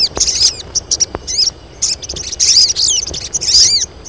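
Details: Colony of female crested jays calling to lure males, in heat; dense high-pitched chirps and downward-curving squeaky notes in rapid overlapping bursts, with brief gaps between groups.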